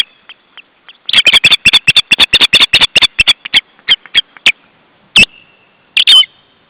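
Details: Osprey alarm call recorded in July 2012 and shown by an Estonian nature website: a rapid series of sharp, high, whistled notes, then slower separate yelps and a final loud, drawn-out squeal.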